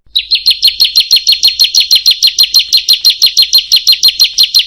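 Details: Bar-winged prinia singing in a training recording aimed at making quiet birds sing: a quick, regular series of high, slightly down-slurred chips, about three each second, clean and without background noise.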